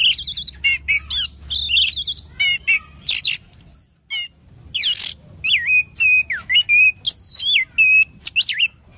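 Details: Orange-headed thrush song, a loud, lively fighter bird, played to draw out singing: fast varied phrases of whistles, sweeping slurred notes and harsh chattering bursts, high-pitched and densely packed, with short pauses.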